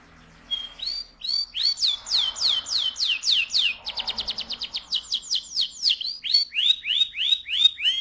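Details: Singing canary, its song used to stir the male and ready the female for breeding: a long series of loud, swept whistled notes repeated several times per second, speeding into a fast rattle midway before slowing again.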